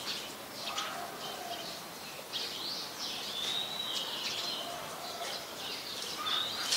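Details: Brown-throated sunbirds, a male and a female, in Ubon Ratchathani, Thailand, on 3 January 2021, filmed with a Nikon P1000; high, thin chirps and short sweeping notes come in quick irregular bursts over a steady background hiss.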